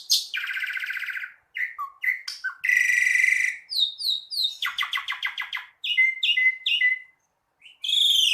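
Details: Asian pied starling singing a varied medley: long buzzy trills, a loud nasal drawn-out note, sliding whistles, rapid clicking rattles, and clear descending whistles before a harsh final call.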